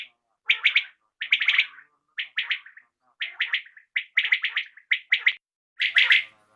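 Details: Common quail heard in the evening, repeating crisp triple-note phrases in short clusters, each phrase quickly following the last, with faint low murmuring notes in between.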